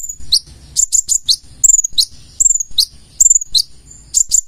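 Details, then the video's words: Purple-throated sunbird, known locally as konin, singing vigorously with a full repertoire of learned phrases: very high thin whistled notes sliding downward, mixed with short rapid trill bursts, in an irregular stream of phrases. "KONIN GACOR FULL ISIAN"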